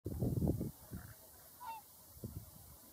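Whooper swans give a short, clear honking note amid loud, low rumbling bursts that sound like wind buffeting.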